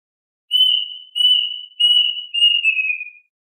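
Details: Plaintive Cuckoo singing to call its flock: four drawn-out whistled notes at a steady pitch, the final one dropping lower at its end, about two per second, then silence.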